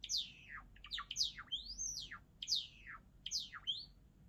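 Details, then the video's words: Java sparrow, a pet cage bird, singing continuously: repeated high liquid notes that slide steeply downward, interspersed with rising whistles and clicks, forming a flowing, bubbling phrase about twice per second; quiet room background. "文鳥のさえずり Java sparrow"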